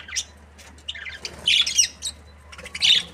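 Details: A happy breeding pair of budgerigars chirping in short, harsh, high-pitched bursts, three main squawky phrases spaced unevenly across a few seconds over a faint low hum.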